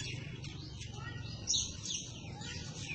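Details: A greater green leafbird chatters rapidly in a scolding way, giving high, sweeping whistles and scratchy notes over a steady low background hum; the recording is meant as a training recording for other birds.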